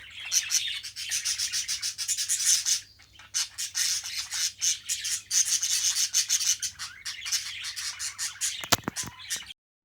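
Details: Pet Australian budgerigars in taming and breeding, producing rapid buzzy, raspy chatter in bursts with a short gap in the middle, then a few sharp scraping clicks just before the sound cuts off.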